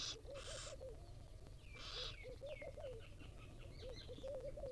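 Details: Wild barn owl nestlings, fed by their mother, make two loud rasping hisses early on, while other birds add soft repeated cooing notes and thin descending whistles in the background.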